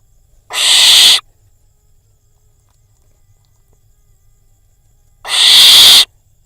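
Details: Barn owl fledgling on a nest cam in Israel after a prey drop, next to a pigeon; two separate rasping hiss-screeches about five seconds apart, quiet in between.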